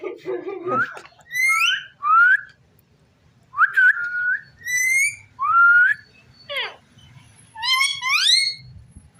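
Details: Pet rose-ringed parakeet kept indoors, whistling a run of clear rising and falling notes, several short bursts separated by brief pauses, some strongly harmonic and squeaky, with a soft low hum in the room.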